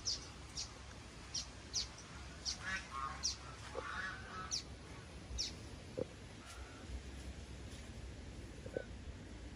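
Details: Common waxbills (Estrilda astrild), a flock-living species, four ringed birds just released together, give short, high, sharp chipping calls about every half second, with a few lower buzzy notes, over a steady background hiss.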